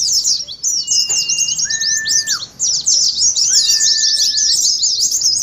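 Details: Ngeriwik song of Oriental white-eyes for stimulating caged birds to sing: frantic high chatter fills the air, overlaid by two drawn-out level whistles that each drop away at the end.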